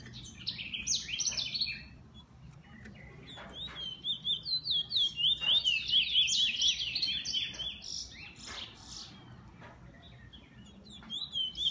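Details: Kept bullfinch singing a fast, high twittering song: bright rising-falling notes strung together, with dense buzzy flourishes and a few louder sharp chips in between.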